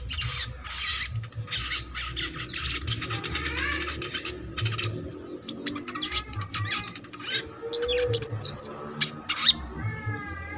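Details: Sogok ontong singing trotol, played to encourage a quiet sogon: rapid high rattling chatter, squeaky twittering phrases and a few short whistles over a low background hum.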